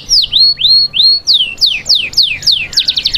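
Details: Domestic canary song used to prepare females for breeding: loud, high whistled notes, first slurred up-and-down sweeps, then quick descending glides, ending in a rapid buzzy trill, about three and a half notes a second.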